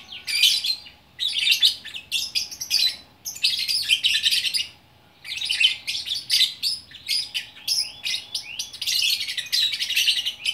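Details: Single lovebird, Bukittinggi, West Sumatra, in gacor orkestra song: long runs of fast, shrill, buzzy twittering and sharp squeaks, interrupted by two short silences, over a faint steady hum.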